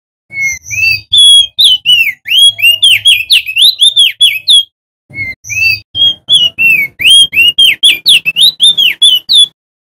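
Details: Male crested white-eye, endemic to Lombok, West Nusa Tenggara, singing loud rolling song used as a lure and prompt for other white-eyes: rapid series of sweet, high, arched whistled notes in two long bursts separated by a brief pause.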